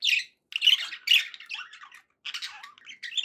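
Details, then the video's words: Happy budgerigar sounds: bursts of raspy chirps and squeaky twitters grouped into short phrases, with brief silent gaps between them. "happy budgie sounds"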